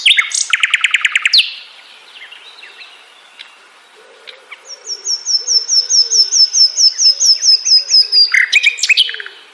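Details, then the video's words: Flycatcher (sikatan londo) song. A rapid buzzy chatter opens, then quiet scattered ticks, then a long, evenly repeated series of thin high sharp notes, about two per second, ending in another burst of chatter. "beragam jenia dan kicauan sikatan londo"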